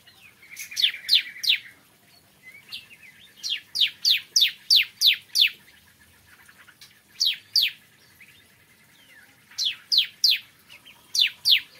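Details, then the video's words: Bar-winged prinia singing in the morning: repeated phrases of three to six loud, high, downward-sliding notes separated by short silences, opening with a soft buzzy trill. "Kicauan Ciblek Kristal Dipagi Hari"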